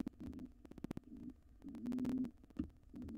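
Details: Wild intruding pigeon pair attempting a nest box takeover after the resident nestling fledged: broken, low cooing phrases of uneven length, interrupted by knocks and scraping taps inside the box.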